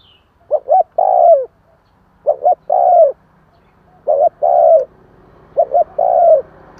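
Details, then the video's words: Spotted dove cooing, a call used to coax newly caught doves into calling. Four phrases roughly every 1.7 seconds: two quick hollow notes then a drawn-out coo that dips at its end. Faint background hum. "Tiếng chim cu kích bổi"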